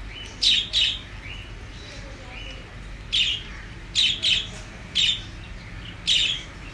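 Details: A lone pet budgerigar gives short, scratchy chirps, often in quick pairs, against a quiet background.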